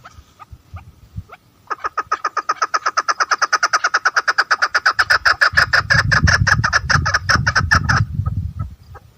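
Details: Female chukar partridge calling, locally known as mada chakor: a long, fast run of sharp, clipped chuk notes, about three per second, that swells in loudness and ends abruptly, with low rumbling noise toward the end.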